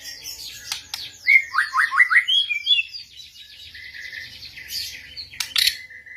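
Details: Shama fiercely answering a lure recording: a few sharp clicks, then a rapid run of downslurred whistles, fading into a fast high buzzy twitter and a final click.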